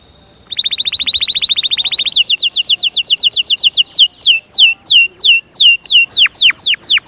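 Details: Canary singing to encourage chicks to sing and to prepare females: a fast rolling trill that speeds into quicker notes, then slower, loud descending whistled slurs repeated about twice per second, with clean background.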